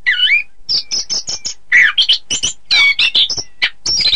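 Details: Orange-headed thrush song used as training material for contest birds: a rapid run of varied whistled and chattering phrases. Sweeping slurred notes alternate with short sharp bursts in a fast, irregular stream, with no other sounds.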